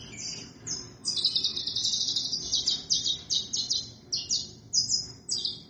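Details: Saffron finch (Sicalis flaveola) song: a fast, continuous run of high, sharp chips and short buzzy notes, pitched very high and delivered in rapid repeated phrases.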